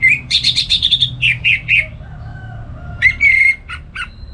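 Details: Orange-headed thrush kept at home in north Bali (Singaraja), giving gacor ngeplong morning song meant as a master for other songbirds; rapid repeated bright notes for nearly two seconds, then a pause and a few strong whistled phrases.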